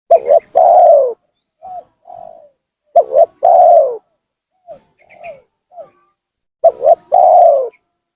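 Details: Spotted dove calling as a lure to provoke rival doves: three strong phrases of a quick double coo and a long falling coo, with several short, quieter coo notes in between.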